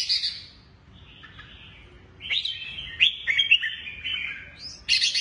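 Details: Caged Lân Tê red-whiskered bulbul, with a curved shrimp-like back and drooping wings, moving between two perches. Clear whistle sliding down, a pause, then a sustained warbled phrase with sharp accented notes, ending in a high bright flourish.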